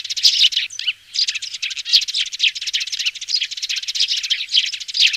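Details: Fledgling sparrow calls of the 'tiếng xuống' (descending) type, played on a loudspeaker to trap sparrows: busy high chirping that pauses briefly near the one-second mark, then returns as a continuous overlapping twitter.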